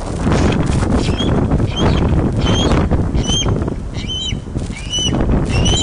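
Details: Osprey at its nest at Loch of the Lowes, Scotland, filmed by webcam on 31 August 2013 at 16:39 during a large fish delivery. Sharp whistled chirps come in a loose series over a heavy, rumbling wind-like roar.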